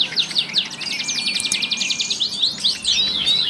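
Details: Tight, coarse song of a grey-cheeked bulbul: a continuous stream of very fast, scratchy, high-pitched notes run together, the rattle slightly rising and falling, with a thin steady whine behind.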